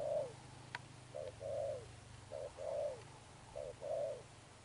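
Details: Spotted dove, caught from the wild, cooing in the 'Thúc Đồng Pha Sấm' style. Paired short and long hollow coos repeat about every 1.2 seconds, with one sharp click and a low hum behind.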